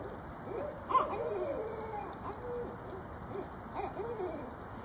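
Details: Female Barred Owl with her mate visiting, calling loudly: a sharp higher yelp followed by descending arched hoots and trailing wavering notes, then another burst of arched hoots near the end.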